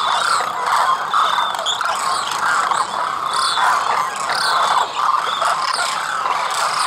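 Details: A large flock of migratory demoiselle cranes wintering at rural Khichan village, Rajasthan, India, calls nonstop in dense, overlapping waves of nasal, rolling croaks, many voices layered with some higher notes above.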